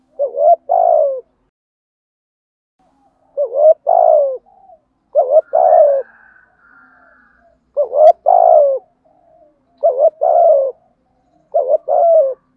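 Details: Spotted dove with a rich, well-patterned song in the thúc gù and gáy gọi calling styles, meant for wild-caught birds to hear. Low, mellow two- to three-part coo phrases repeat roughly every two to three seconds, with a faint higher bird call between them.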